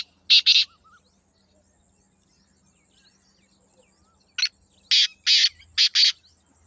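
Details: Two quick harsh notes from a black francolin, then a long silence before a full phrase of five scratchy, buzzing bursts rising in intensity.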